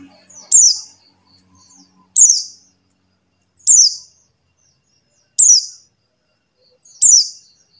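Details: Buxtoni white-eye call played to stir silent white-eyes into singing: five high, buzzy downslurred chirps spaced roughly one and a half seconds apart, with faint soft notes early on.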